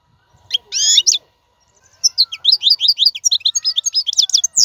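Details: European goldfinch song used for tutoring caged fledglings: a brief tinkling burst, a pause, then a long rapid run of sharp twittering and liquid notes with a clean, quiet background.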